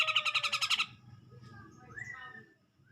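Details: Grey-cheeked bulbul singing to provoke a rival: a quick series of about eight harsh buzzy pulses, then quieter background and a single rising whistled note near the end.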